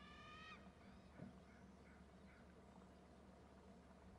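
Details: Two eagles perched side by side, both calling after one flies in to join the other. A thin, high, harmonic whistled note lasts half a second, then faint chittering notes follow, all over a constant low rumbling background.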